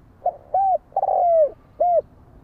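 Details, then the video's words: Spotted dove giving one cooing phrase: a soft short note, a smooth arched coo, a long rough coo sliding downward, then a short clear closing coo. Quiet background. "Chim cu gáy gọi hay mới nhất"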